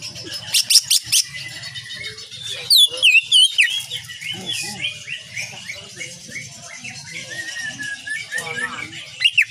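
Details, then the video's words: Greater green leafbird song with sharp shots, kapas tembak nyengklir style, recorded as a tutor for cage birds: a few crisp repeated notes, a steep whistled downslur series, then continuous rambling twitter. "Cucak ijo gacor penuh dengan tembakan kapas tembak nyengklir"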